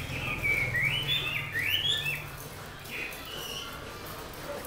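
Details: Chinese hwamei from Lạng Sơn, a selected bird kept caged for eight months, delivering loud, clear whistled phrases that swoop up and down rapidly, then softer notes trailing off over a low background hum.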